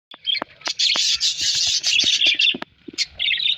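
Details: Parrot giving a dense run of loud, harsh chattering and screechy chirps, high and continuous with brief clicks and pauses, ending in a short burst of rapid scratchy notes.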